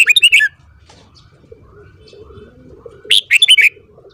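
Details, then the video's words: Morning singing by a red-whiskered bulbul: a rapid burst of chirpy whistled notes at the start and another about three seconds later, with a quiet pause between. "Luyện giọng chào mào hót sáng .kích giọng chào mào hót hay"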